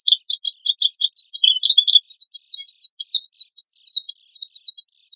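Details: Oriental white-eye in non-stop 'tembakan kasar' song, a lure and master recording: a burst of buzzy stacked notes, then a lower warble, then a rapid row of high down-slurred whistles, about three per second.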